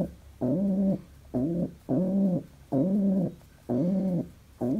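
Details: Pet pigeon, described as very happy, gives steady low coos in a small room: six full-bodied harmonic notes at about one per second, each with a slight rise and fall.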